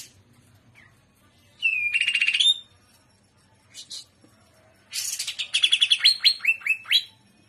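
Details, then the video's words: Greater green leafbird in energetic trotolan song, gaya udang style: a rattling high burst, a brief pause, then a long series of fast descending whistled notes and stuttering trills. "TROTOLAN CUCAK IJO Paud JAHAT FULL JAMTROK GACOR GAYA UDANG"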